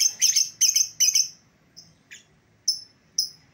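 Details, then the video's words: Lovebird calls for luring back an escaped bird: three harsh rasping screeches in quick succession, followed by a few thin, isolated high chirps. "suara pikat lovebird yang lepas"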